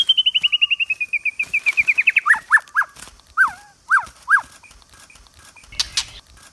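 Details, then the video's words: White-rumped shama singing for voice training in the 'giọng dây' style. A fast, slightly descending trill of even notes leads into a series of sharp, downslurred whistles spaced about half a second apart, followed by a quiet pause. "chòe lửa hót hay ❣ kéo thuốc lào ❣ hót giọng dây"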